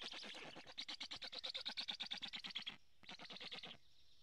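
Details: Black stork storklets on a nest in Karula, Estonia, begging for food, recorded by a live camera on 2 July 2017 morning: fast, evenly pulsed goat-like rasping bleats, a short break, then another pulsed run ending in a faint whine.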